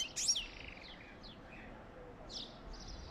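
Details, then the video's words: Mating-encouragement song of a European goldfinch: a loud opening twitter, then softer high slurred notes and a buzzy phrase near the end, set against quiet steady hiss. "تغريد طائر حسون جميل للتحفيز على التزاوج"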